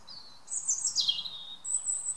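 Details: Garden robin, European, in evening song: a thin high whistle, then a bright descending warble, followed by a sustained very high pure note.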